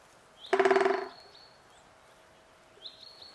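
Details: Great spotted woodpecker in the Vosges, Alsace, giving a rapid half-second drum roll that fades out, with a thin high whistle before it and a rising whistle later.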